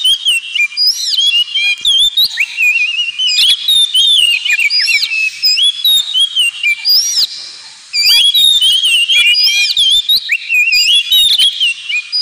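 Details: Ngemplong-style song of an Oriental magpie-robin, meant to encourage pet birds to sing: long, rich sequences of looping whistles and sweeping notes, one short quiet break midway, then the varied phrases resume.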